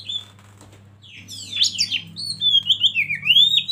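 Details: Oriental magpie-robin (kacer) lead bird meant to stir other birds into song; after a quiet start, rich sliding whistles and chattering notes build up over a faint constant low hum.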